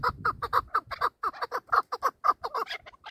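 Chukar partridge giving a rapid series of harsh, clucking chuk notes, roughly two per second, with a low rumble at the start.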